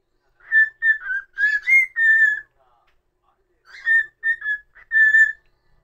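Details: Cockatiel kept as a pet sings a whistled melody: a rapid series of short pure notes, one stepping higher, silence for over a second, then a shorter repeat of the phrase.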